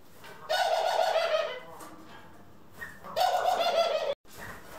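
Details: Two rapid, rattling, throaty rolls, each about a second long and rippling quickly, from indoor pet Ringneck, Senegal and hybrid doves on April 25, 2021, with a soft click between them.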